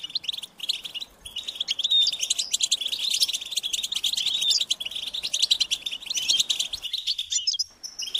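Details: European goldfinch chicks begging, calling their parents to be fed: a dense, continuous stream of high, insistent chirps and short twittering notes that overlap almost without pause and fade near the end.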